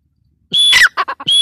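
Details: Brief burst from a female grey francolin: a thin high whistle sliding into a harsh squawk, then three short choppy notes and the start of another whistled squawk.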